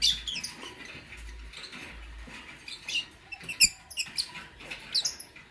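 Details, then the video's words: Lovebirds, a Lutino and a Blue Opaline, chirping in the morning: a busy run of short, high squeaky chirps and thin twitters, some sharp notes bunched near the end, over a soft rustling background. "Lovebird Singing & Chirping Sounds"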